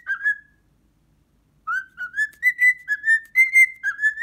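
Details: Pet cockatiel indoors, alarmed by a muscat grape it has never seen before: two whistled notes, a pause of over a second, then a rapid, steady run of roughly nine clear whistles.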